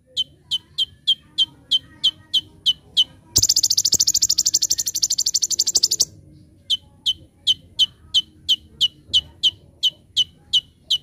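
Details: Olive-backed sunbird (konin) in full song, a master recording for training other birds: a steady series of sharp, high, downward-sweeping chips about three per second, broken by a dense rapid buzzing rattle of nearly three seconds, then chips resume.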